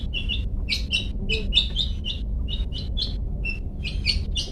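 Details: Long-tailed shrike singing its "toet toet" style, kept as a training master for caged birds; a steady run of short, bright chirps in close pairs and triplets, fairly even in pitch, with low hum underneath.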